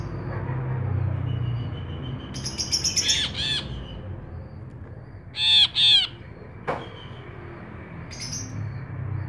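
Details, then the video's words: Ashy bulbul singing actively: sparse, harsh, buzzy notes in short bursts separated by quiet gaps, with a loud doubled squawk midway and a sharp click, over steady low rumble. "Brinji Kelabu Gacor"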